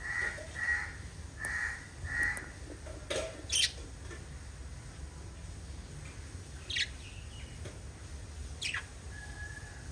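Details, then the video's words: Pet lovebirds kissing and chirping give harsh, squawky chirps in quick bursts, then a few sharp, shrill high notes over a steady low background hum. Finding: Lovebird. "LOVE BIRDS CHIRPING sounds"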